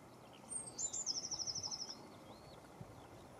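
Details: Lesser whitethroat: a thin introductory whistle, then a level, rapid, dry rattle of about a dozen clipped notes, with faint distant bird calls afterwards.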